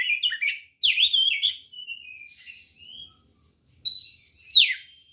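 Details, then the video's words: White-rumped shama fighting song to goad other birds: quick chattering notes, wavering whistles fading downward, silence, then a strong rising whistle snapping into a steep downslur. "SUARA BURUNG kacer gacor NGEPLONG TARUNG ini paling AMPUH buat PANCINGAN kacer NYAUT EMOSI"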